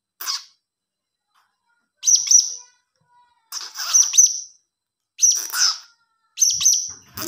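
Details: A blue-crowned hanging parrot chick repeats short bursts of piercing, high squeaky chirps, about every one and a half seconds, with clean silence between bursts.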